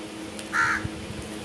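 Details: Crow uttering a single short, harsh caw over a faint steady hum, with a soft thump just after.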